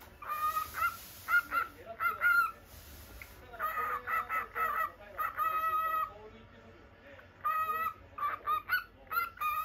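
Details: Indoor pet cockatiel of the normal lutino colour, calling in a lively series of short ringing notes, some grouped in twos and threes, a few held longer, with brief gaps between the bursts.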